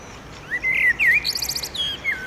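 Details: At sunset near a railway footbridge in Oradea, a male blackbird sings to claim territory: two rich, rounded whistled notes, a rapid bright twittered trill, then a falling fluty note.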